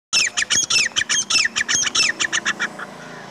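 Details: Partridge calling in the current season: a rapid series of loud, harsh squawking notes, about fifteen in three seconds, fading slightly toward the end.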